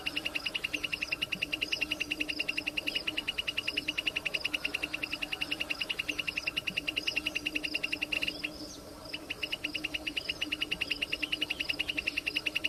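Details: Wild plain prinia delivering a sustained stream of rapid, evenly spaced buzzy notes. It breaks off briefly midway, then resumes at the same steady rhythm.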